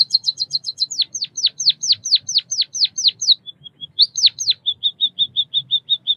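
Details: White-headed munia singing: a fast train of high ticking notes, then a series of thin downslurred whistles about every quarter second, a brief pause, two more slurs, and an evenly spaced run of soft high clicks; faint low hum beneath.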